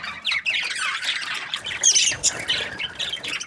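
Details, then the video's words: Budgerigars chirping contentedly, a busy stream of harsh chattering warbles, with brief clear whistled notes and squawks breaking through the babble. "Happy budgie chirping sounds"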